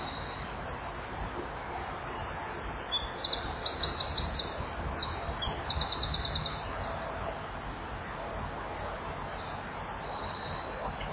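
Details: Common kingfisher female filmed at a nest wall camera on a July 2015 morning, calling before mating; fast trains of thin, high chipping notes repeated in several bursts over steady low ambient noise.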